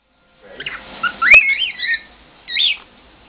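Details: Senior male pet cockatiel whistling his mangled version of the Andy Griffith theme; clear rising and wavering whistled notes, a brief pause, then a looping whistled phrase.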